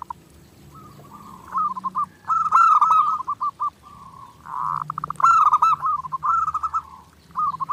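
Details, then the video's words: Zebra dove master song used for daily training: soft opening notes swelling into loud, rapid pulsed cooing phrases with rolling warbles, repeated in several bursts separated by short lulls; low faint hum underneath. "SUARA PERKUTUT GACOR NONSTOP"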